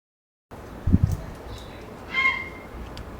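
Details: Grey herons, a group of four to five roosting in a conifer in an urban area, recorded 25 May 2021 with an Audiomoth: one short, harsh, harmonic-rich squawk after a dull low thump, over steady background hiss.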